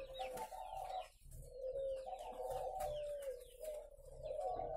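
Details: Caged spotted doves at a breeding farm in Ba Vì, Vietnam, keep up a continuous droning chorus of low coos, with scattered high chirps of other birds and a short lull.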